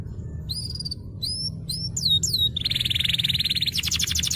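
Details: Canary song used as a master recording to prompt silent canaries to sing: clear whistled upsweeping notes repeated in short groups, then fast buzzy trills and a rapid rolling series of notes, over a low background hum.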